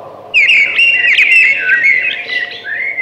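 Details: Thrush song: one sustained flowing phrase of clear whistled notes with rapid trills and sharp high accents, ending on a short rising whistle.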